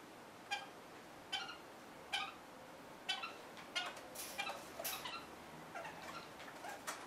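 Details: Red-fronted parakeet eating a bird pizza of healthy ingredients: short, harmonic, chattering calls about every 0.8 seconds, then a busier run of softer calls and light clicks, over a low steady hiss.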